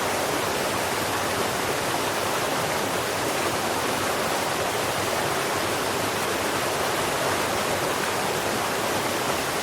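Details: Constant broadband rushing like a waterfall or stream, with no animal calls.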